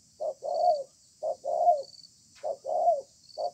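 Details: Stubborn wild spotted dove in a calling contest beneath a communal house, using the spaced 'bài thưa' song: husky low two-part coos, a short lead note and a drawn-out falling one, roughly every 1.2 seconds. A constant high insect buzz continues in the background.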